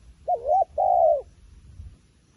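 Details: Wild pigeon delivering two coos: a wavy dipping note, then a longer, slightly falling hoot, hollow and mid-pitched against a quiet background.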